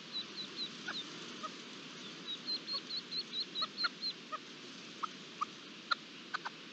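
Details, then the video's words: Partridge with its chicks, ambient recording from 11-06-22: thin high peeps repeated rapidly, about two a second, in two runs, followed by scattered lower short notes and soft clicks against a steady hiss. "Perdiz con perdigones (Sonido ambiente)"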